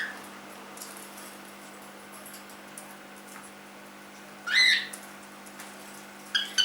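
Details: Three-month-old cockatiel at home, mostly quiet, then one loud rising screechy whistle midway and a short call starting at the very end.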